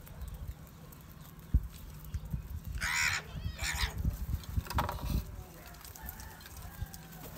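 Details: Crows fighting for rice food, calling angrily: two harsh, raspy caws close together in the middle, then fainter calls and low thumping and shuffling noise around them.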